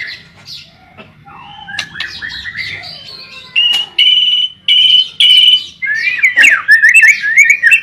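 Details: White-rumped shama singing busily in a recording meant to lure and train shamas to sing: soft scattered notes at first, then loud clear whistles repeated about every second, ending in rapid rich warbling.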